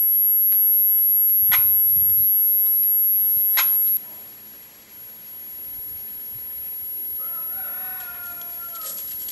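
Crested Oropendola giving a liquid, gurgling phrase of sliding notes near the end, after two sharp knocking sounds, over a steady high insect whine.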